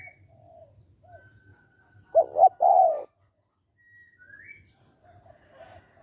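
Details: Spotted dove, 'hạp bổi' voice used to make males call quickly: a single phrase of two brief coos and a drawn-out falling coo, amid faint higher whistles from other birds and low hum.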